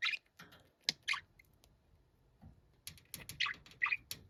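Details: Pet budgerigar described as noisy and shouting, giving scattered sharp chirps and short scratchy squawks, some bursts close together, over a faint background hiss.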